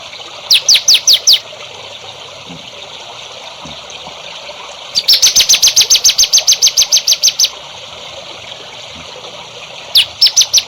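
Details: Songbird heard on a recording for training young birds: a burst of five high chirps, then a fast, even series of about seventeen sharp notes, and later four more chirps, with quiet hiss between.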